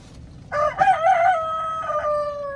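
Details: Chicken crowing loudly: an abrupt, rough onset breaks into a wobbling middle, then a long, even tone held for over a second before fading, over faint low background noise.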